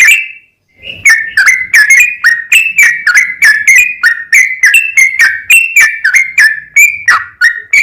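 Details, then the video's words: Energetic yellow-vented bulbul delivering 'ropel panjang', a long rapid song played as a lure to make other bulbuls sing; after a short silence, a steady stream of quick bubbly whistled notes repeats about three times per second. "SUARA trucukan gacor ROPEL PANJANG pancingan trucukan agar bunyi"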